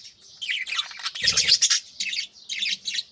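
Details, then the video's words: Budgerigars chattering at dawn beside chicks in nest pots: continuous scratchy warble and chirps, a louder burst with a low knock at mid-point, then separate short tweets over a faint hum. "بجریز کی خوبصورت صبح 🦜Beautiful Morning Vibes & Chirping Sounds"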